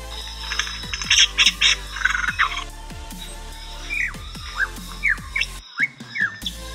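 Lyrebird giving harsh squawking bursts, then a run of sharp, downslurred whistled notes. A steady, thumping musical beat plays underneath.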